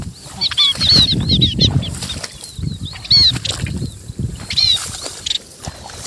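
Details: Munias calling the flock: thin, high, slurred piping notes in quick clusters, repeated throughout, with rustling and low rumbling noise underneath.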